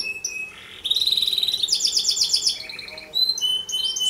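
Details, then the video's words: Vigorous canary song for tutoring other canaries or young birds: flat whistles, buzzy notes, a fast metallic trill and high thin tones. "Suara kicau Kenari Paling diCari buat Masteran, KANARI GACOR Pancingan kenari lain atau paud"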